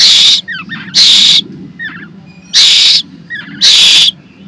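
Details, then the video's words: A hungry hand-raised Asian koel chick begging for food as its keeper prepares rice, giving four harsh, hissing half-second rasps with faint thin squeaks between and a low murmur behind. "ক্ষুধার্ত কোকিল পাখির বাচ্চা"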